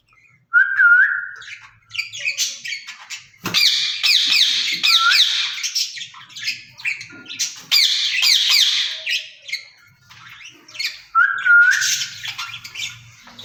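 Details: Pair of caged rose-ringed parakeets calling to each other indoors: rapid rasping squawks in uneven bursts, broken by brief rising whistled notes at the start and end.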